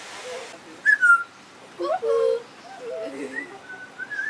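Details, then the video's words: Parrot whistling at Jardin Botanique de Deshaies, Guadeloupe: a clear descending whistle, then a cluster of lower warbled whistled notes, followed by a few faint, higher, thin whistles that trail off. "Parrot Saying Meow and Whistling"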